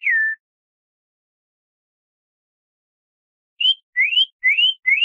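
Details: Campo troupial from Brazil in the canto clássico curto style: one falling whistled note, a long silence, then four short, bright, rising whistles in quick succession.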